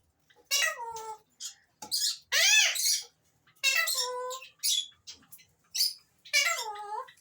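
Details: Alexandrine parakeet calling: a series of loud, harsh, arched calls with strong harmonics, several in quick runs separated by short pauses, some rising then falling in pitch; indoor setting, no other clear sounds.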